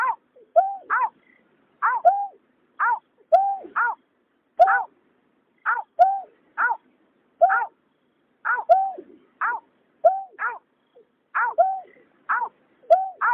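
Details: Male and female white-breasted waterhens, in a night bird trapping context, call in a long, steady series. Harsh two-note croaks, low bent then high falling, repeat roughly once a second for over a dozen seconds.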